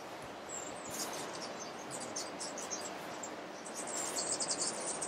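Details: Crowned Woodnymph (Thalurania colombica verticeps) in Alambi Cloud Forest Reserve, Ecuador, giving thin, very high chips in short clusters, fainter early and busier near the end, over a steady hiss of insects and ambient forest noise.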